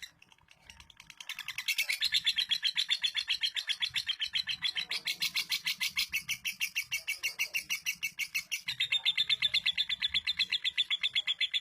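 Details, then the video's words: Captive female lovebird from East Lampung, Indonesia, performing long-duration 'durasi' song: after a quiet start, a sustained rapid chatter of high buzzy chirps pours out nonstop for about ten seconds, briefly dipping in intensity midway. "Lovebird betina durasi"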